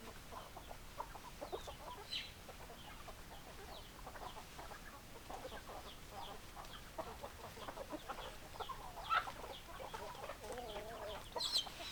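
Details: Hens clucking among a flock of chickens: scattered short clucks and thin high chirps throughout, a longer wavering note near the end, faint background hiss.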